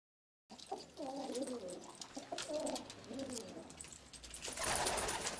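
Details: Hazel- or red-eyed Istanbul pigeons indoors; after a short silence, three rolling, wavering coos follow one another, then a burst of loud rustling, likely wing-flapping, takes over.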